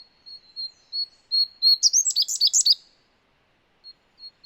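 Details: Indian Blue Robin, a winter visitor in up-country Sri Lanka where it favours dense undergrowth in forest near streams: a few thin, high whistles lead into a quick, jumbled burst of sharp, tumbling phrases, then faint whistles.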